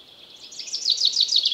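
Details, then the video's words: Common chaffinch in a forest, a short burst of song: a fast series of high, sharp repeated notes building in loudness over about a second. "Chaffinch Singing In The Forest"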